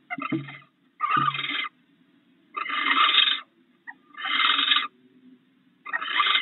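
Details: Harsh rasping screeches from barn owls at a nest box as an intruder pursues the male bringing prey to the female on her eggs; roughly one-second bursts repeat about every one and a half seconds, with soft clicks early on.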